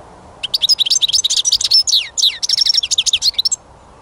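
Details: Song of a European goldfinch filmed while catching songbirds: a rapid, liquid stream of twittering, chirping notes lasting about three seconds with a brief pause midway.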